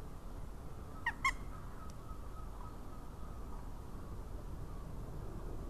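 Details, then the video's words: Juvenile Northern goshawk at a nest webcam in Latvia, 20 March 2018: two quick, thin squealing calls, then one fainter note, over a steady low rumble of wind. "jaunieša balss."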